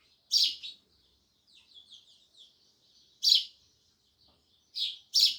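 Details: Loud sparrow chirps, single or doubled bright notes, separated by a quiet stretch of soft twittering in the background.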